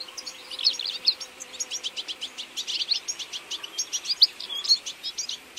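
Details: European goldfinches feeding together in autumn: a lively run of sharp, high, rhythmic chirps and twitters, closely spaced and steady, with a few louder notes toward the end.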